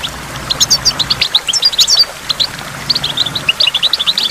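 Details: Goldfinch singing by a waterfall: quick bright twittering chirps and short high notes in bursts, with a brief gap near the middle and a steady faint rush of water beneath.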